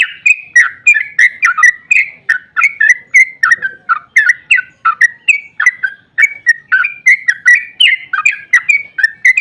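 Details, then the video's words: Sooty-headed bulbul (trucukan) singing an emotional long 'ropel', used as bait to get other bulbuls calling. An unbroken, bubbly cascade of short whistled notes, fast and evenly loud throughout. "Trucukan GACOR ROPEL PANJANG EMOSI buat pancingan trucuk agar cepat bunyi"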